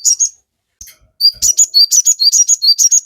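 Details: Crimson sunbird (sogon) singing nonstop, a lure recording meant to stir captive birds into song. A short chirp burst, a pause and faint clicks, then a fast run of high, sharp, sliding tweets, about three a second.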